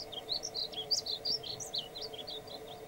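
A male painted bunting sings a rapid, sweet warble of high, slurred notes that jump up and down, over a steady low hum in the background.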